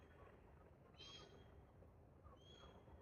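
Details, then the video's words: Wild pair of Galahs (Rose-breasted Cockatoos) in park trees in Australia during a pair bonding ritual; two short, slightly slurred screechy notes about a second and a half apart, faint over a steady low rumble. "I heard a strange sound at the park... then I saw THIS 😳🦜 (Wild Galah Romance)"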